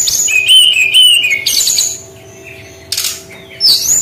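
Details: Brown-chested jungle flycatcher, unique 'tembakan' singing: paired high whistles over lower wavering notes, a burst of scratchy chatter, a pause, then a rising high whistle.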